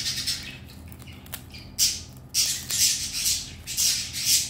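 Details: Pet red-collared lorikeet, happy at getting his favourite chew balls and his owner coming home: harsh, buzzy, high-pitched screeches in bursts of about a second, some closely spaced, over a faint indoor hum.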